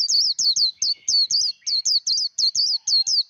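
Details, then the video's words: Líu đấu fighting song of a white-eye, used to train the voice of a wild-caught bird: about thirteen bright, high, down-slurred chirping notes, each cleanly separated, pouring out rapidly over three seconds. "Vành khuyên líu đấu. kích lửa vành khuyên líu đấu"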